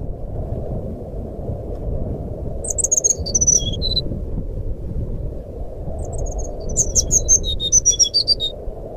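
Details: Brown-chested jungle flycatcher singing its nyuling, or fluting, style, meant to coax silent birds into song. Two separate bursts of piercing whistled notes, each jumping between pitches, rise above a continuous deep rumble.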